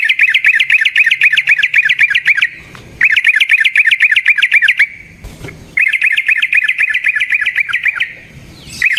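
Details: Yellow-vented bulbul giving its long rolling fighting song, recorded as a lure to make other bulbuls sing and respond. Loud, fast, bubbly chattering runs about two seconds long are repeated three times with short gaps between them.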